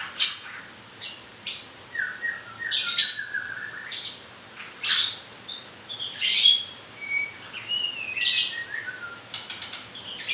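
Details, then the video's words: Moulting white-rumped shama, a murai shedding its feathers, singing in bursts: loud broad scratchy notes alternate with clear whistled tones sliding downward, phrases spaced irregularly about every few seconds. "murai baru rontok bulu"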